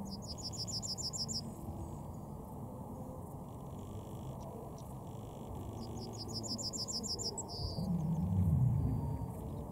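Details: Yellowhammer singing two full phrases, each a fast run of about eight to ten high, thin repeated notes ending in a drawn-out sustained note, separated by a pause of several seconds; steady low rumble underneath, louder near the end.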